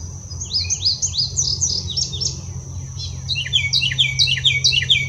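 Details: Carolina wren (Thryothorus ludovicianus) territorial and mate-attracting song, often the first call of the morning: two fast bursts of loud, rolling phrases, each repeated rapidly in a bright, ringing chant, over a low steady hum.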